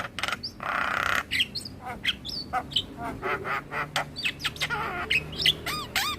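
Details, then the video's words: Male Javan myna song meant for training a juvenile bird, mixing a harsh wheezy burst, short clicks and slurred whistles, with a run of quick arched squeaky notes near the end. "Masteran Burung Jalak Muda Dengan Suara Jalak kebo Jantan Full isian"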